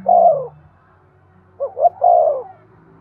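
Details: Spotted dove cooing to stimulate breeding: a low mellow coo near the start, then after a pause a short two-note lead-in followed by a longer drawn-out coo, clean with no other sounds.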